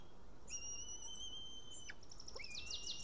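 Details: At an Estonian white-tailed eagle nest at 12:54pm on 2018/06/08, as a male returned after ringing with a fish he then lost, an eagle gives a long, thin, high whistle, then a rising note into sharp, chattering yelps over low rumbling.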